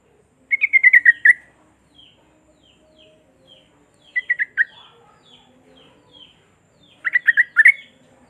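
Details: Sooty-headed bulbul song played to prompt silent bulbuls to sing: three bursts of quick, bubbly, slightly descending notes, about a second each and several seconds apart, with faint soft chips between bursts.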